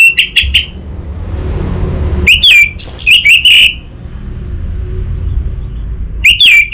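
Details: Orange-headed thrush from Singaraja, North Bali, singing as a master song for training an untrained bird: clipped high whistles, a pause, then a longer twisting phrase of shrill notes, and another short burst near the end.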